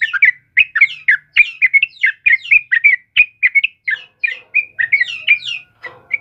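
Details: Yellow-vented bulbul singing a dense, vigorous run of short whistled, slurred notes, two or three to a second. Each note dips and bounces. The burst is steady for about six seconds.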